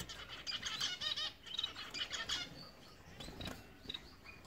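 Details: Blue-capped cordon-bleu giving a quick run of thin, high-pitched chirps for about two seconds, then scattered single high notes, with wing flutters and soft thumps in the background.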